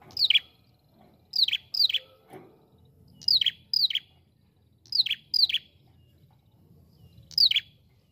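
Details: Ashy prinia, known locally as prenjak kepala merah, calling in a lively way; paired sharp descending whistled notes dropping from high to lower pitch, repeated in bursts about every one to two seconds, with a faint low hum behind.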